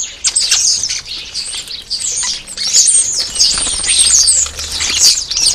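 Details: European starlings at a garden feeder, eager for food, give continuous high, thin, rasping squeals and whistled slurs with wing flutters mixed in and a steady faint hum behind.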